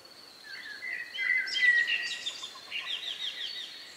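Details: Countryside birdsong a few minutes before night on May 2, 2020, about 9 p.m.; a drawn-out whistled note gives way to a burst of fast, buzzy trilling and chattering, with a steady thin high tone from another singer behind.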